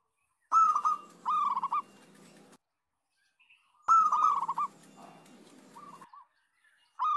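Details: Zebra dove song used as a lure to prompt other doves to sing: short bursts of two or three ringing coos, repeated roughly every three seconds, with a soft low rumble under the louder phrases.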